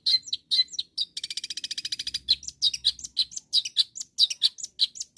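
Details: Lively long-tailed shrike calling rivals: a few sharp chirps, then a fast dry rattle of rapid ticking notes, followed by a string of varied high chirps and chattering notes.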